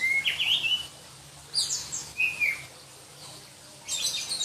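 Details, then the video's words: Oriental magpie-robin of the black-breasted kacer type from Berau, East Kalimantan, a contest bird; short loud, shrill whistled phrases, rising and falling, in four separate bursts with quiet gaps between. "Kicau Kacer Kalimantan"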